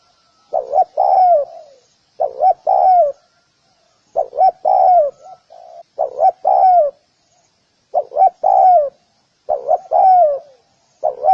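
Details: Spotted dove calling persistently: a rhythmic run of low, hollow coo phrases, each with quick paired notes ending in an extended descending coo, plus a few softer single coos.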